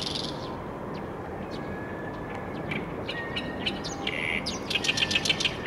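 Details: Oriental reed warbler (Acrocephalus orientalis) song: a harsh, chattering run of scratchy chirps that grows louder and more rapid toward the end, over a steady rushing background noise.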